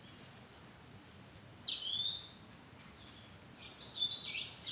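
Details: An Oriental magpie-robin perched in a madan tree arbor gives a faint whistle, then a loud descending slurred phrase, and closes with a rapid run of high, varied whistled notes. Light hiss is heard behind it.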